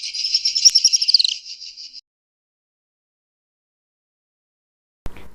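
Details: A Little Swift (Apus affinis) in southern Africa gives a shrill, rapid twittering trill of about two seconds, high-pitched and slightly falling at the end, then silence and a brief thump.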